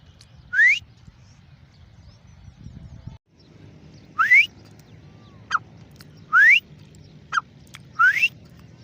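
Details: Rising whistled calls of a grey francolin, called Irani teeter locally, sounding as clear upward-sweeping notes roughly every two seconds with brief sharp notes between, after a quiet opening stretch with low hum.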